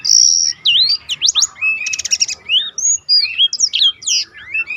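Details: Black-throated canary rolling song for training contest birds: a long steady whistle, then swooping slurs, a buzzy stuttered burst and varied rapid chirps.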